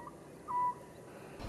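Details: An Oriental scops owl in Korea, a summer visitor that eats insects such as moths, gives one short, clear, mid-pitched whistled hoot as a territorial call claiming its ground, over a quiet background hiss.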